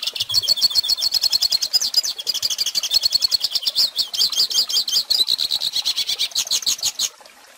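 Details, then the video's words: Hooded siskin, recorded as a teaching song for young birds, gives a long, vigorous outpouring of high twitters and trills that ends abruptly near the close, leaving quiet. "Pintassilgo Cantando Ensine Filhotes!!!"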